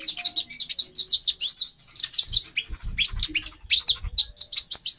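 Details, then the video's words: Female konin sunbird giving a call meant to raise the male's mating urge; quick, very high chirps and slurred up-down twitters in tight runs, with low dull tapping in the background. "Burung Konin Betina 4x terapi birahi. menaikan birahi jantan"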